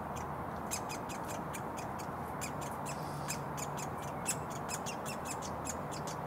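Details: Begging calls of a woodpecker fledgling fed by its parent, Surrey front garden next to a road, June 2022: insistent sharp chips repeated about three times a second, steady traffic rumble and a low hum behind.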